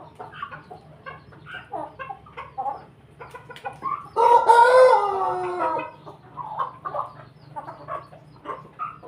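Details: Mixed flock of chickens including pelung, Bangkok and ketawa (laughing chicken) breeds. A loud, drawn-out harmonic crow rises about four seconds in and lasts nearly two seconds, surrounded by rapid, steady clucking from other birds before and after.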